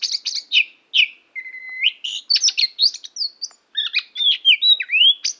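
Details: Rich, varied song of an oriental magpie-robin in Tambakagung, Klirong, Kebumen, mixing sharp chirps, a held flat whistle and wavering slurred notes in a quick continuous run.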